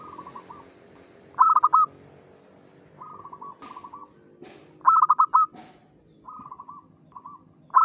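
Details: Local zebra dove song for luring other zebra doves: loud stuttered coo phrases alternate with softer rolling trills, with several sharp clicks or knocks between phrases.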